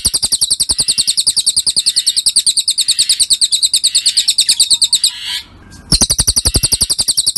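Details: Cililin song prepared as a masteran for songbird training: high, thin, sharply repeated chirps at a fast regular tempo, with a short gap near the end before the chirps return.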